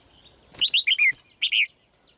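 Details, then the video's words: Female red-whiskered bulbul song: a lively burst of four rolling, slurred whistles, a brief gap, then two more bubbly notes, all clear and loud against a quiet background. "นกหัวจุก birds - เสียงนกร้องตัวเมีย ร้องได้ไพเราะมาก ตัวผู้ร้องแรง"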